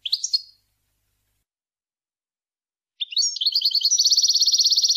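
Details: Tame pet European goldfinch, trained to attack and bite a finger, gives a short high chirp, a pause, then a bright, fast, rattling twitter that quickens into an even trill near the end.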